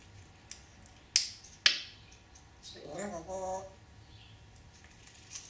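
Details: Grey parrot, male, talking and swearing when not getting enough attention; two sharp clicks, then a short two-part spoken word with a low voice-like tone near the middle, and a quiet room around it.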